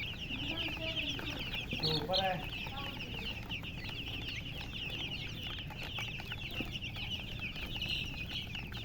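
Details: Chicks chirping together, a thick stream of high, quick peeps, with a louder, lower harmonic call breaking in briefly around two seconds before the steady peeping carries on.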